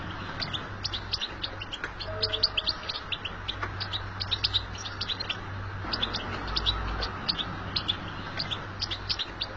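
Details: European goldfinch in nature pouring out its batbata chatter: nearly nonstop, rapid, high, clipped chirps and trills, with a steady low hum and a short faint tone around the two-second mark.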